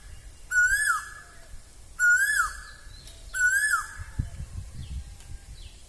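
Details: Asian koel song in spring (Bohag), Assam: three strong upslurred whistles ending in a quick drop, about one and a half seconds apart, followed by soft knocks and rustling.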